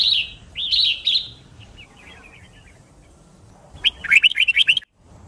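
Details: Red-whiskered bulbul, white-cheeked type, in a song-training recording for contest singing: a few loud slurred whistles, soft chattering notes, then a quick rolling warble of about nine bright notes before sudden silence.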